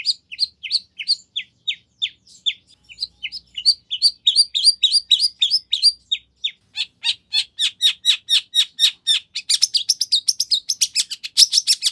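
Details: Long-tailed shrike (cendet) delivering a full-isian song used to lure another shrike into responding. High sharp notes repeat steadily, build into a dense rattling series, and finish in a fast, shrill, buzzy trill.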